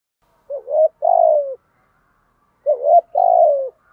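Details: Training coo of a spotted dove, thúc gù style. Two matching phrases are separated by about a second of quiet; each is a quick wavering upslurred note followed by a drawn-out coo that sags in pitch.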